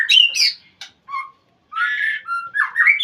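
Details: White-rumped shama calling to a rival: loud, varied whistles and squawks, a falling buzzy note, then a harsh, rasping burst and rising whistled slurs, with brief silences between phrases.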